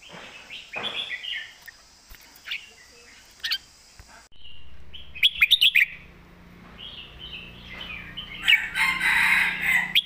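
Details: Red-whiskered bulbul in the southern master song style. Warbled phrases and bursts of rapid clicks mix with a steady hum and, near the end, a dense patch of overlapping chattering sound.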